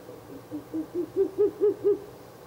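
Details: Ural owl calling at night by a nest box on 16 April 2024, the third night of nest visits: a run of about eight low, hollow hoots, quickening and swelling in loudness and pitch toward the end.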